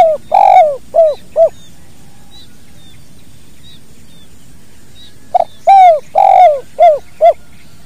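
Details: Spotted dove giving its kuk dua call, a natural recording for training other birds: two phrases of low arched coos, one long burry note followed by short repeated coos, separated by about four seconds of quiet.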